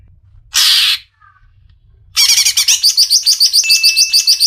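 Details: Greater green leafbird, a gacor training-recording songbird from Indonesia: a harsh noisy burst, a pause, then fast rhythmic chattering phrases of repeated high notes, around three per second, with a sustained thin whistle.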